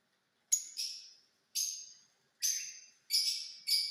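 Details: Five harsh, shrill screeches from a rose-ringed parakeet in the new purple lutino mutation, each dropping away in a rasping tail, spaced roughly every second in a quiet setting.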